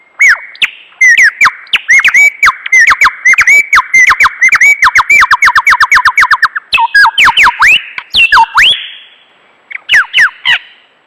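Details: Lyrebird, a vocal mimic said to copy chainsaws, camera shutters, car alarms and human voices and screams: loud, heavily distorted whistled notes hooking up and down, run in rapid series with sharp clicks between, some notes slurring into long held tones.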